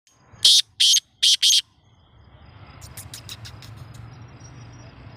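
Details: Black francolin calling: four loud, harsh, buzzy broadband notes in quick succession, then a burst of fainter, thinner notes over steady low background hum.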